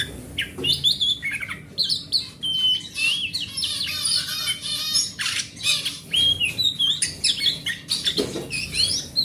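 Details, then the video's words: Forest-type oriental magpie-robin song, grade A, used as a lure so a silent magpie-robin starts singing; dense run of harsh chattering phrases mixed with clear whistled slides and sharp upward notes, almost unbroken for nine seconds. "Suara Master Burung Kacer"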